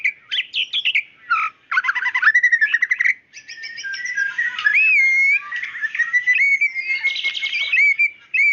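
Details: White-rumped shama female calling to the male: quick chirps and rattling stutters open the phrase, then long, pure, sweeping whistles and a drawn-out level note with fast chips over it.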